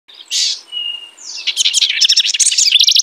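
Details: House wren singing: a few thin high notes open the phrase, then a bubbly burst of rapid, buzzy trilled notes runs to the end, bright and high-pitched with no background noise.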